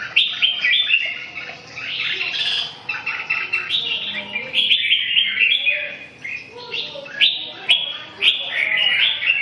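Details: Red-whiskered bulbul song, a near-continuous chatter of quick, bouncing whistled notes strung together with barely a pause, lively and uneven in rhythm.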